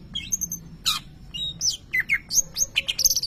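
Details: Greater green leafbird, a caged contest bird, delivering a brief burst of imitated lovebird sounds: squeaky whistled slurs, sharp high chips and a scratchy rasp in quick succession.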